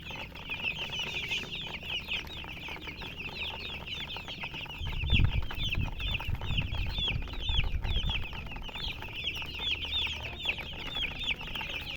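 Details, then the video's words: Flock of baby chicks peeping nonstop, rapid high overlapping chirps throughout, with louder low rumbling and handling noise in the middle section. "Baby "Chicks Chirping" Sound"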